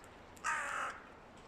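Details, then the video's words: A single harsh, drawn-out caw of about half a second from a hooded crow, one of two loud rival groups calling before nesting season. "Сезон гнездования близок? Два клана ворон очень шумят / Mating season is near? Two loud crow rivals"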